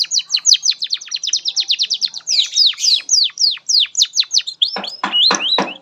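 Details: Canary master song for young birds: a rapid steady run of descending whistled notes, a brief buzzy burst, then slower sharp downward sweeps and rising curled whistles.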